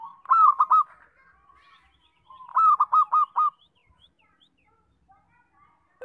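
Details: Two strong, stammering coo phrases from a loud local zebra dove kept as a trapping decoy, the second phrase longer at about six notes, with faint chirps of other birds between.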